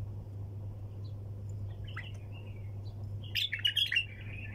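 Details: Sayyad-style song from a bulbul. A few soft notes come first, then after a pause a sudden loud phrase of rapid, ringing chirps near the end, with a constant low hum beneath.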